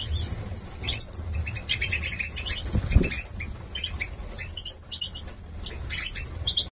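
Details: Young male goldfinches of the Major type, 2022, Gladbeck, produce a busy jumble of squeaky twitters and chatter, with wing flapping and a low rumbling hum throughout.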